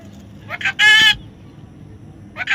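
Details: Young parrot giving a brief chattering lead-in and one loud, harsh screech, then a pause before another short rough chatter.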